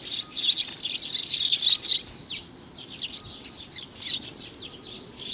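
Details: Juvenile sparrow, June 2019, opens with a dense two-second burst of buzzy, rapid chirping, then shifts to slower separate high chirps spaced irregularly.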